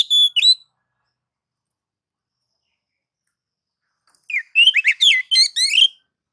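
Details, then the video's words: Oriental magpie-robin in nagan and ngobra mode, sung to provoke other magpie-robins; a short whistled fragment, a long silence, then a rapid burst of sharp, varied twittering notes. "kicau kacer mode nagan dan ngobra"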